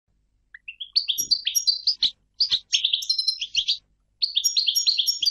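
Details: European goldfinch singing: quick tinkling, twittering phrases of bright notes between 2 and 8k, with short rising slurs and brief pauses between bursts; no other clear sounds.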